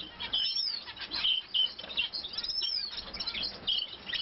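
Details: Long-tailed rosefinch during nest building; a series of short, high chirps and thin whistled notes, some sliding downward, given in quick irregular bursts about every half second with brief pauses.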